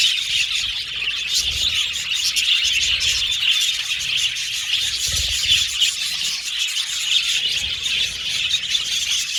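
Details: Budgerigars chattering nonstop, a thick mesh of high chirps, squeaks and warbled twitters from several birds, with soft low bumps in the background.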